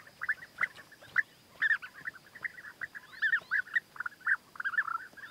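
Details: European bee-eater courtship with a male presenting food gifts to the female: repeated liquid, burry trilled notes from several birds in irregular quick bursts, some louder calls standing out over the others.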